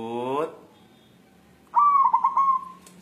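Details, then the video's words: A white local zebra dove seeks a mate. A brief rising, harmonic-rich sound comes first, then silence, then one mellow cooing phrase: a sharp onset, four stuttering beats, and a drawn-out fading tail. "Perkutut putih galau mencari jodoh"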